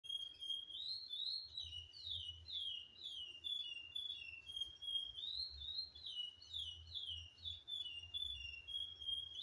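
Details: A chestnut-bellied seed finch, now all black after its moult, sings a continuous, rich string of clear whistled phrases, sliding up and down and flowing without pause, with low hum beneath.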